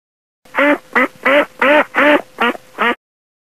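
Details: Farm duck quacking: seven loud, harsh, nasal quacks in steady succession, evenly spaced at roughly three per second, with no other sounds.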